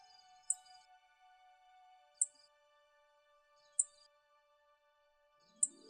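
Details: A Grasshopper Sparrow in Ontario grassland gives its quiet, insect-like song: four short, very high buzzes, about one every second and a half, over soft sustained background music.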